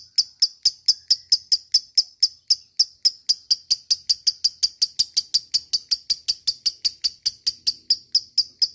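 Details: Lovebird giving a long ngekek trill, used to make other lovebirds excited and start singing: a fast, steady series of sharp, high, shrill chips, about five a second, running without a break for the whole stretch.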